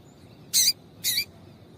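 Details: Female Double-collared Seedeater calling to excite a male: two short, sharp, high chirps about half a second apart over quiet background hiss.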